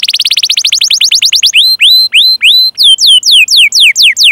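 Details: Canary song used to prompt other canaries to sing: a rapid high trill of repeated notes, then slower loud upward-sweeping whistles and falling downslurred notes at about three per second.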